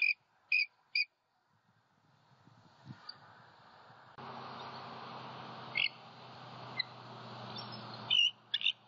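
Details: Bald eagles at a nest in Southwest Florida at night, 13 January 2021: the male returns vocalizing after an owl knocked him off, with the female incubating eggs. Brief bursts of high chattering notes open and close a stretch of rumbling noise.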